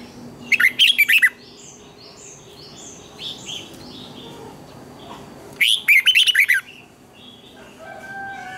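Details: Red-whiskered bulbul training song: two loud phrases of rapid, tumbling whistled notes about five seconds apart, with softer repeated chirping from other birds in between and quiet background sounds.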